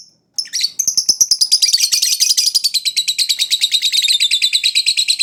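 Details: Lovebird chattering, used as a lure sound (pancingan) to prompt a captive lovebird that rarely sings: after one brief high chirp, a dense, fast, buzzy chatter of rapidly repeated notes runs continuously and grows fuller and louder.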